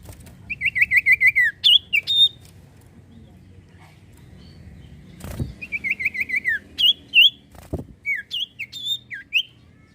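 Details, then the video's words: Two bright phrases from a common iora (sirtu cipoh) used as a singing lure: each a fast wavering trill stepping downward, capped with sharp upswept whistles; heavy knocks and low background rumble between. "sirtu cipoh gacor mantuap buat pancingan burung bahan & macet bunyi"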